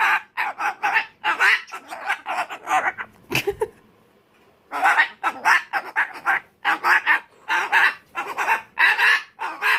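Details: Umbrella cockatoo ranting in a tantrum: a dense run of short, harsh, rasping screams, briefly broken by a sharp knock and a quiet pause before the screaming starts again.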